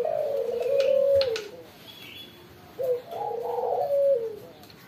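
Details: A captive decoy Spotted Dove, kept to become tame and vocal, coos low, soft and wavering in two drawn-out phrases, with a few faint chirps and light indoor background noise.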